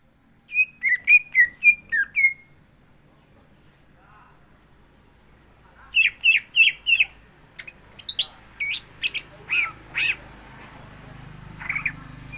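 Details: Greater green leafbird (cucak ijo) singing its busy, filled-in song: six quick whistled notes, a pause, four more chirps, then harsher scratchy, noisy calls with background rustling.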